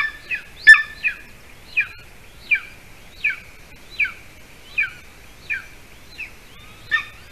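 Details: Golden eagles at a nest in Latvia, 06-12-20, 8:42 p.m., as the adult male brings a larger bird to a nest holding a small chick. Sharp, downslurred, high yelping notes repeat roughly every 0.7 seconds, with a quiet background.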